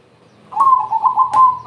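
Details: Zebra dove "crossing" song, meant to draw other doves into singing, with a quick bubbling run of mid-pitched coos that wobble up and down, ending in a smooth level note, with a soft low hum behind.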